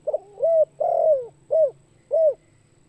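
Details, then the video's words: Spotted dove luring call: a broken opening note, then a rising coo, a long falling coo, and two short, even coos. A low background hum runs throughout. "Suara Burung Tekukur Bikin Pikat Bahan Ikut Gacor"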